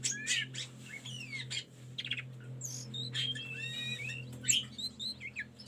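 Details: Tledekan gunung song for training caged birds: dense, fast medley of chirps, buzzy trills and sweeping whistles, almost without pause, with a constant low hum underneath.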